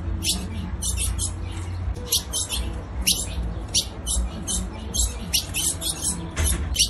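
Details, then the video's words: A female ultramarine grosbeak calls to stir up the male with sharp, high chips, two or three each second in loose clusters, over a steady low rumble. "fêmea de azulão chamando para esquentar o macho"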